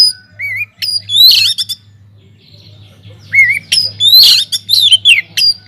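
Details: Oriental magpie-robin singing hard in an aviary, a lure to prompt other birds: a short rising whistle, bright mixed chirps and slurs, a pause, then another upslurred whistle and a loud burst of varied notes; low hum beneath.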